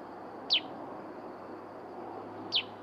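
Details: Sooty-headed bulbul calls played as a lure, with wild bulbuls coming in but not landing: two quick, high, downslurred chirps two seconds apart, over a steady high insect drone and a low hum.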